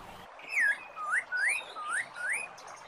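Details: Masked laughingthrush (poksay mandarin) song used to prompt silent caged birds to sing again: five clear, rising whistled notes about half a second apart, each sliding upward, over soft background hiss.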